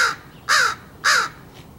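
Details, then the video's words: Crow being hand-fed and cawing at something, two loud raspy caws about half a second apart, each with a falling tail, then a faint distant caw trailing off. "trying to feed Cassius Crow, he's cawing at something"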